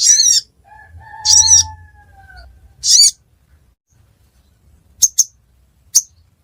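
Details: Ruby-cheeked sunbird near Reului, Pidie district, Aceh: a few high buzzy notes, then brief clicking ticks. A softer, lower, drawn-out whistle sounds between the first notes.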